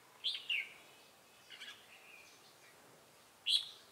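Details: Decoy red-whiskered bulbul in a Bình Phước trapping session, 25 June 2018, 'Ché' song: an opening pair of loud liquid notes, a quieter trailing warble midway, then one strong high note at the end.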